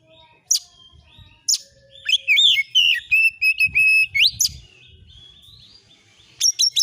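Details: Oriental magpie-robin lure recording meant to provoke replies: loud sharp upswept whistles, then a run of wavering whistled notes and short trills between 2 and 4 seconds, ending with clipped high chirps.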